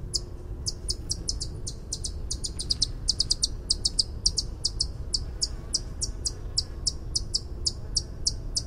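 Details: White-eared hummingbird song of rapid high-pitched tinkling notes, often in pairs or quick bursts, delivered almost continuously with a low steady rumble underneath.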